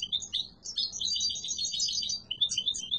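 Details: European goldfinch of the yellow mutation singing strongly: a few sharp high chirps lead into a continuous fast, tinkling warble, then more spaced chirps at the close.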